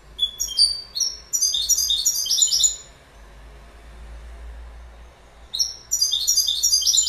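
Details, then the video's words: Goldfinch song in two bursts of fast, jangling, high-pitched twitters mixed with brief whistled slurs, separated by about two and a half seconds of near silence. "Goldfinch Bird Sound"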